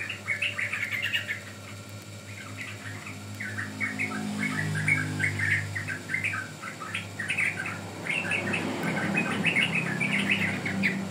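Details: Bubbly sooty-headed bulbul song for luring or training birds: rapid chirping notes, roughly three a second, in loose bursts, with a low hum and some rustling noise in the background.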